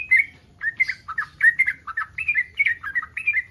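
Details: Mating call of a yellow-vented bulbul in breeding condition, provoking other bulbuls to respond: loud, slightly burry chirps in uneven pairs, about three per second, over quiet background.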